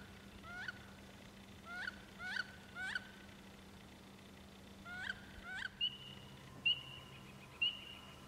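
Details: Courting wood ducks, recorded 14 April 2012, give half a dozen squealing calls, then several thin, high whistles that rise and hold, over a steady low mechanical hum.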